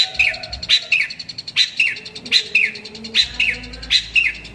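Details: Long-tailed shrike calling to a rival, used as a lure: a bright metallic note followed by a short falling slurred phrase, repeated roughly every second, with low background hum.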